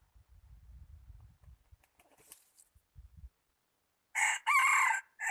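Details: Red junglefowl kept as a trapping decoy, January 2019: after low thumping and scuffling sounds, a crow begins near the end, with a short first syllable and a drawn-out second one, then the start of a third.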